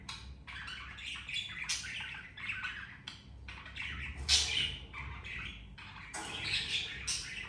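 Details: Budgerigar family of two parents and two babies; busy run of rasping squawks and chirps in quick clusters, one louder screech near the middle, continuous low indoor hum.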